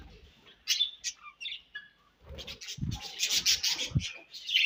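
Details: Budgerigars chirping while eating: bright, short high chirps and warbled notes in scattered bursts, with a couple of low dull knocks partway through.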